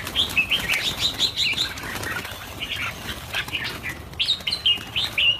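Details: A crowd of red-whiskered bulbuls, about 1000 birds being released, gives quick, bright, slurred chirps that overlap continuously, with wing flutters mixed in.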